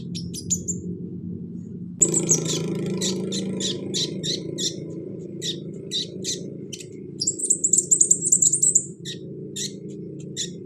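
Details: Sunbird (kolibri ninja) in a cage, singing to prompt a reluctant bird: irregular high chips and twitters followed by a rapid, very high rattling trill, with steady low background hum.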